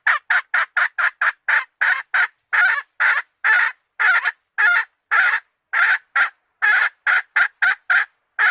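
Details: Female red junglefowl calling the male, a hunting lure recording: a fast, uneven run of harsh clucks, about two per second, some notes longer and drawn out. No other sounds.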